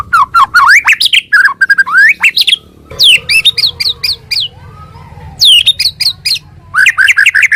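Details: White-rumped shama in morning song, loud varied phrases of sharp upslurred and downslurred whistles in quick bursts, broken by a quiet pause with a faint low note, then resuming with ringing sweeps.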